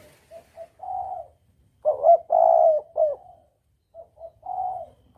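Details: Spotted dove coo, recorded clearly as a hunting lure in double-coo style: soft short notes lead into a long mellow coo, then a stronger broken phrase with a sustained hollow note, and again soft notes and a fading coo.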